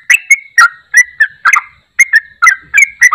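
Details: Yellow-vented bulbul singing, a call used to make a silent bulbul start singing again: clear liquid warbled phrases, each bursting out then sliding into a short whistled tail, repeated roughly twice a second.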